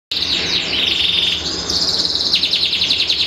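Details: Canary of the symmetrical panda type, kept in a cage, singing a long-duration song: dense high rolling trills that shift pitch partway through, with steady buzzing chatter running continuously and faint background hiss.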